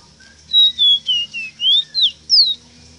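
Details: Ruddy-breasted seedeater tutor song for teaching captive birds: seven loud, clear whistled notes in about two seconds, first gliding lower, then sweeping up and down, ending on a high falling slur, over a soft low hum.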